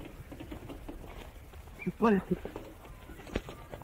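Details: Male Australian musk duck, hand-reared from hatching and four years old, imitating human speech learned from its surroundings: one short, voiced, speech-like utterance about two seconds in, over a low rumbling background with faint clatter.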